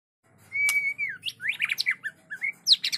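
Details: White-rumped shama rehearsing in quiet, soft practice song: a long level whistle slurring down, then a jumble of rising and falling whistled notes with chattery high fragments.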